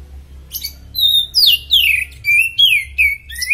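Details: Oriental magpie-robin in superb form, loud, close song of long down-slurred whistles and sweeping notes repeated about every half second, with a low hum beneath.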